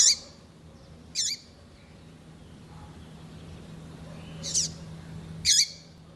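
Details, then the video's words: Female double-collared seedeater, kept to stimulate a cold male: sharp, high chirps with a falling tail, four in six seconds with a long pause between, steady low hum behind. "Fêmea de Coleiro piadeira Para Esquentar coleiro"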